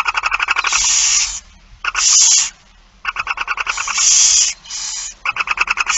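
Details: On 8 September 2019 at 16:02, barn owls at feeding time repeat loud, drawn-out hissing shrieks, alternating with rapid rattling clicks, roughly every two seconds with brief quiet gaps.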